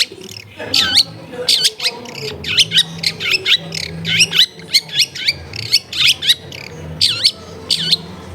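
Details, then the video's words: Long-tailed shrike recorded at a home in a busy residential area, played to coax quiet birds into replying: sharp, looping squeaky notes repeated in quick pairs and bursts roughly every half second, over a low household hum. "TERAPI CENDET MALAS BUNYI LANGSUNG NYAUT"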